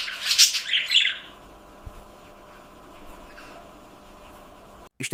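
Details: Budgerigar (Melopsittacus undulatus) contact call, given when alone or unable to see its owner: a burst of high, scratchy chirps and squawks in the first second, then quiet room noise until a brief clatter at the end.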